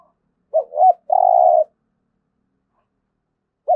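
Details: 'Thúc gù' coo of a spotted dove kept for daily decoy training: two brief bending hoots leading into one long, level, humming coo, then quiet until the next phrase begins at the very end.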